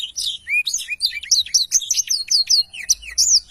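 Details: Non-stop energetic 'gacor' singing by a black-throated canary, a tutor track for songbird training: a dense, hurried stream of high whistled notes, rising and falling slurs packed closely together without pause.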